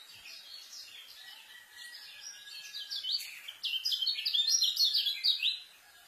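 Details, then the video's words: White-eye song for teaching young birds: soft high twittering swelling into loud rapid chattering phrases of quick varied chirps in the second half, over steady faint background noise. "KECIAL SPEED RAPET ISIAN,COCOK BUAT MASTER KECIAL BARU"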